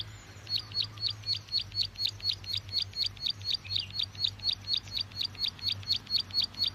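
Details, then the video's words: Bar-winged prinia lure call for trapping: long even train of sharp, high chirping notes, about three per second, over a faint low hum. "Suara pikat burung ciwa/cici glaga/ciblek sawa"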